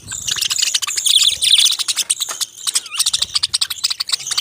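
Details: Dense, continuous high chatter of budgerigars, rapid clicking chirps and squeaky warbling notes running together with only brief dips.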